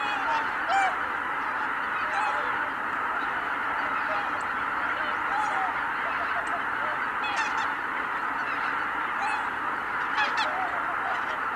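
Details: Greater white-fronted geese in a large flock at Kabukuri-numa, taking off together on 12 January 2019. A dense, continuous honking roar of many birds, with sharper stacked cackles rising above it every second or two.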